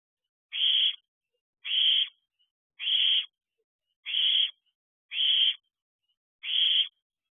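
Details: Young male owlet, third of its brood to hatch, at an owl box on a July night at 8:59 pm, calling for its siblings and more food: six harsh, hissing screeches of about half a second, spaced roughly every 1.2 seconds, with silence between.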